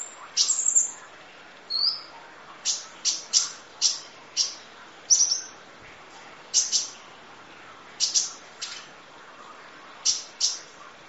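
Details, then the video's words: Kolibri ninja sunbird singing in masteran training audio: loud, sharp, very high chips spaced roughly half a second to a second apart, with an occasional short trill and a brief thin slur. "Audio Master Masteran Kolibri Ninja Full Isian Nembak Durasi Panjang Kicau Burung"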